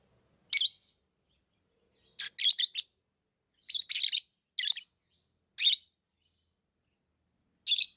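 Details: Pet lovebirds making piercing, raspy chirps, single notes and short doubles spaced one to two seconds apart, in an otherwise quiet setting.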